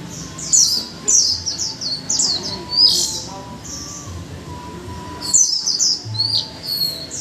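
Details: One-month caged Japanese white-eye pouring out clusters of high, sweet, slurred chirps, busy for the first few seconds, a brief pause, then another quick twittering burst; a faint low thump and soft background tones beneath.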